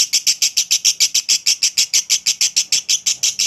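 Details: Lovebird ngekek, a long chattering song used as a prompt for other lovebirds: a steady volley of harsh, high-pitched notes, roughly six each second, keeping an even beat throughout.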